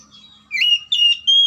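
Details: Oriental magpie-robin singing to stimulate silent birds: a brief phrase of three sustained, clear whistles, each rising slightly, over a faint low tone.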